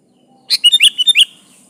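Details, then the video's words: Sooty-headed bulbul singing vigorously, used to call a rival: one quick phrase of about six liquid, bubbly notes lasting under a second, against a quiet background. "Suara burung kutilang gacor ini Ampuh memanggil lawan"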